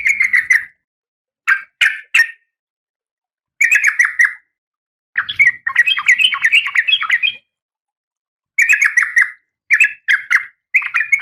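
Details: Female oriental magpie-robin in breeding condition calling to the male: bursts of sharp, scratchy chirps and rapid chattering notes, delivered in separate phrases with short silent gaps between them.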